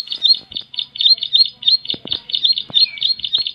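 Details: Loud bar-winged prinia (ciblek) song: steady high chirped notes repeated rapidly and evenly, with a few faint clicks and knocks in the background.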